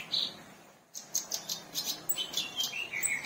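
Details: Black-browed reed warbler singing actively, with an opening buzzy note and a brief pause, then quick repeated clicking chatter ending in harsh, grating phrases.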